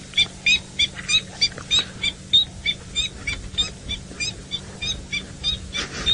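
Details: A Coqui francolin heard at sunrise, early September, in the Sabi Sand, South Africa, gives a fast run of high, squeaky two-part notes, about a dozen in six seconds, over a steady low engine hum.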